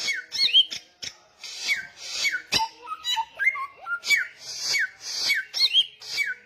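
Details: Samyong songbird singing loudly and persistently: slurred whistled notes that rise then fall, repeated about once per second, mixed with sharp clicks and scratchy high chatter.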